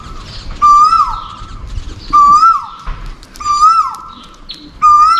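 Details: An Asian koel gives continuous mate-attraction calls: four loud, ringing calls, each a held note that dips downward at the end, repeated about every one and a half seconds.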